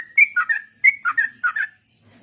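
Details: Short burst of sooty-headed bulbul song meant as a training lure for other songbirds; three quick paired whistles, a bright upslurred note followed by a lower warbled one, then silence.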